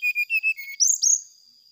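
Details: Brown-chested jungle flycatcher song played to provoke rival birds into responding: four clear whistled notes stepping slightly downward, followed by a quick burst of higher, sharper whistles that trail off.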